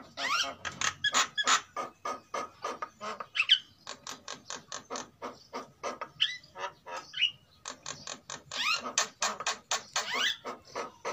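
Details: Javan mynas, male and female, both singing vigorously during breeding season, give fast harsh clicking rattles, several per second, broken by a few bright rising whistles.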